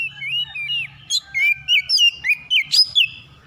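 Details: Oriental magpie-robin calling in the morning with sweet slurred whistles, then a fast, evenly spaced series of sharp chirping notes.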